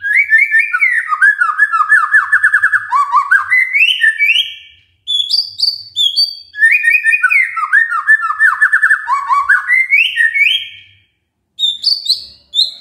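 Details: Magpie-robin song for rousing a quiet bird: two long bursts of varied whistles, fast trills and high slurred notes, each followed by a short silence and a few high whistles.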